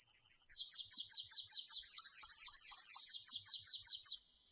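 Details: Campero-style song of a European serin: a fast series of high, buzzy, sizzling notes repeated in an even, rattling rhythm for about four seconds, then stopping abruptly.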